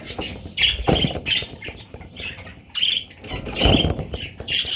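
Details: Parrot chicks: short harsh chirps and squawks repeated in bursts, mixed with low thumping and rustling handling noises.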